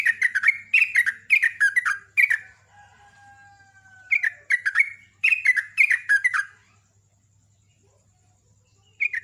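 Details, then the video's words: Champion sooty-headed bulbul in a strong, fast-delivered song: dense bursts of bubbly, slurred chirps in quick runs. A drawn-out rooster crow sounds faintly in a gap, and a low steady hum runs underneath. "KICAU JUARA JOGJOG SUPER, ROPELAN KENCENG"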